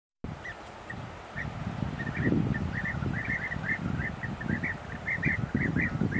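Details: European bee-eaters in Cyprus give short, rolling, liquid calls, several each second in a steady chatter, over a low rumble of wind.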